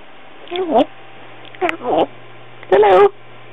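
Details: Indoors, a pet African grey parrot, a young female just over a year old, speaks three short word-like phrases with wavering, bending pitch, separated by brief pauses, over a faint constant hum.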